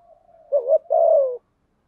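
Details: Spotted dove used as a decoy to stir rival birds: a faint, soft drawn-out note, then one full phrase of a wavering double note and a long, low, gently falling coo.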